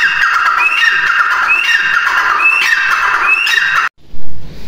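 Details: Grey francolin call: four loud, grating phrases, each beginning with a rising whistle-like note then a scratchy falling run, repeated steadily before stopping abruptly, followed by a brief burst of handling noise.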